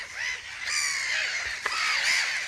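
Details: Breeding colony of gulls, called Mediterranean gulls though a viewer says black-headed gulls, on a salt-lake island in Hungary's Puszta, giving harsh nasal overlapping cries while circling to frighten off a badger.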